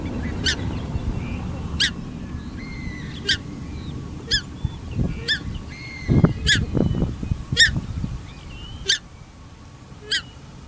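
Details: Paradise Shelducks, a pair feeding on corn bait at Tawharanui Regional Park and driving off Pukeko; loud shrill honks repeated about every second and a half, over soft whistled birdsong and bursts of scuffling mid-way.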